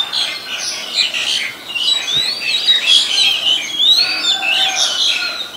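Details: Oriental magpie-robin recorded 23 December 2019 in Ubon Ratchathani, Thailand, where it is a very common resident; rich whistled song of gliding upslurs and quick chirpy notes, continuous and fairly loud, with faint ambient noise.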